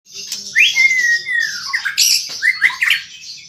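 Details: Caged white-rumped shama singing with gusto: loud whistled notes sliding down, mixed with harsh buzzy bursts and sharp chattering, all packed into a few seconds.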